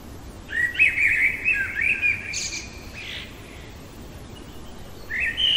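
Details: Common blackbird (Turdus merula) singing in the middle of the night: a mellow, fluty warbled phrase ending in a thin high twitter, then a new phrase after a short pause, with a quiet background.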